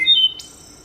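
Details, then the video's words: Wood Thrush song from West Virginia forests, played over a speaker: a brief phrase of clear flute-like notes giving way to a high, thin trilled flourish, under a second long. "You hear that? That's a wood thrush."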